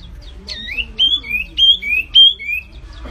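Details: Flamboyan bird in full 'gacor' voice: a swooping opener, then four paired whistles, each a clear high note dropping to a lower sustained tone, about two per second with quiet gaps.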